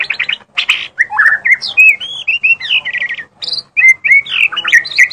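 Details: White-rumped shama (murai batu) singing very energetically: a rich, varied run of clear whistled phrases, sliding slurs and quick chattering notes with brief pauses between bursts, rising and falling in pitch, with no other clear sounds.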